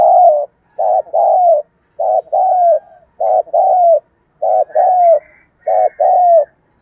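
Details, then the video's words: Spotted dove call used to lure and stimulate other doves: mellow, slightly falling coos in short groups of two, repeated about once a second, with faint higher whistled notes in the background toward the end. "tiếng kêu của chim cu gáy âm thanh rất chuẩn để kích bổi/ thúc gù bài bản"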